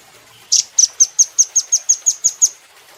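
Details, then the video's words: Velvet-fronted nuthatch on a recording for training cage birds delivers one harsher opening note, then an even, rapid series of about ten very high, thin chit calls lasting two seconds. "Rambatan Doraemon Super Gacor"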